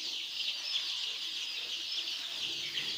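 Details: Flock of farm chicks giving constant shrill peeps, countless overlapping high cheeps merging into one unbroken, even chorus.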